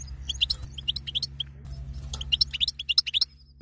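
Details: Female European goldfinch batbata calls to excite a male into mating: busy, rapid high chirps building into a fast dense series, with a low hum underneath.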